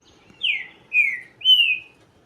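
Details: Green-winged saltator singing three clear whistled notes, each slurring downward, about half a second apart, the last one longest and steadiest, in quiet surroundings.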